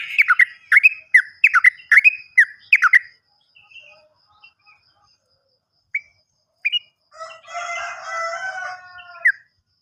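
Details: Yellow-vented bulbul, a lure for birds that have gone quiet: a quick burst of bubbly notes, a pause with scattered chips, then a softer warbled phrase.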